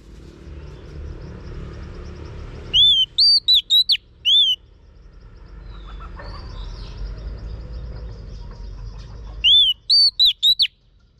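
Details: Coaching whistles of a female Oriental magpie-robin meant to excite a male: a loud phrase of one arching whistle and four quick sharp notes, a pause with soft background chirps, then the same phrase starting again.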